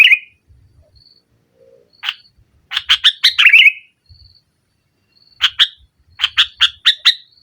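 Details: Sooty-headed bulbul singing to challenge rivals, nggaruda style, for luring a non-singing bird: an opening warble, scattered thin notes, then chattering runs of harsh chips with a warbled twist.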